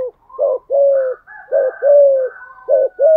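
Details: Spotted dove used as a decoy, 'giọng thổ' voice, giving steady 'thúc gù' cooing: paired short and drawn-out low coos repeated in an even, continuous rhythm with faint higher overtones.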